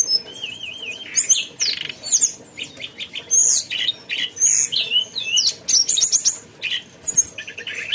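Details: Mountain tailorbird singing at length: a wavering whistle followed by a busy, varied stream of high chirps, sweeping whistles and clipped notes in rapid succession, loud and persistent throughout.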